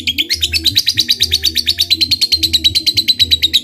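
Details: Lovebird of the fighter kind giving ngekek to provoke a rival: a loud, fast run of sharp, chirping pulses, fairly regular and slightly rising at first, over low rhythmic background tones.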